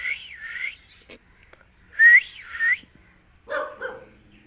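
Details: Captive talking parrot giving two wavering, looping whistles that rise and fall, separated by a pause, followed by a harsher, lower burst of sound; otherwise quiet.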